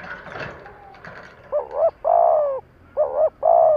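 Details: Spotted dove, a kept decoy bird in training, cooing to provoke rivals: after a quiet start, a short hooked coo then a longer falling coo, the pair given twice, with faint background murmur.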